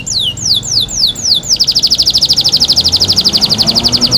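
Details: Pet canary, a gift, singing while bathing: several high whistled notes sweeping downward, then a long rapid rolling trill of repeated notes, with a low background rumble.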